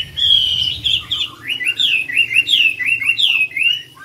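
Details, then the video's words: Chinese hwamei singing at a songbird competition in Mỹ Đình, Vietnam, on 19 July 2020: loud, rich whistled phrases with slurred rising and falling notes, repeated in quick varied bursts around two to four per second. "HỘI THI HỌA MI HÓT MĨ ĐÌNH 19/7/2020"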